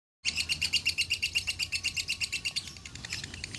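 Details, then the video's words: A lovebird sings in the "konslet" style as a master-training recording, pouring out a fast run of sharp, high chirps at about eight a second that blur into a softer, continuing chatter; recorded in Salatiga. "Masteran Lovebird Konslet"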